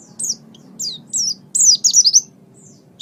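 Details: Oriental white-eye on a master recording for training birds: a few spaced high chirps build into a rapid, louder run of sweeping twittered notes, then fade to quiet; low background hum.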